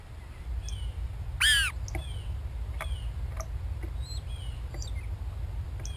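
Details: A blue jay gives a single harsh, nasal call in the background among a gray catbird's scattered short chirps and squeaky notes, over a steady low rumble.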